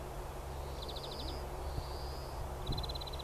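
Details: A greenfinch in full voice on a golf course in April 2015 sings softly: quick high trills on either side of a long, wheezy buzz, over a steady low rumble of wind or distant traffic.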